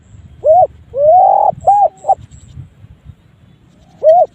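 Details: A spotted dove's odd call: a short hoot, a long swelling coo, two quick clipped coos, a silence, then another lone short coo, mellow and low-pitched over soft background noise.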